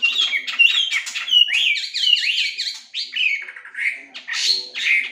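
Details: Singing melodious laughingthrush (Chinese hwamei), a training song for lively song: fast, tumbling whistles with rising and falling sweeps, later some harsher buzzy notes and a few short pauses.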